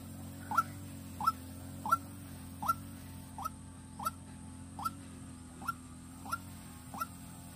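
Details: White-breasted waterhen used as a decoy to lure birds in Vĩnh Long, Vietnam: ten crisp rising notes at a steady pace, about every 0.7 seconds, above a continuous low drone.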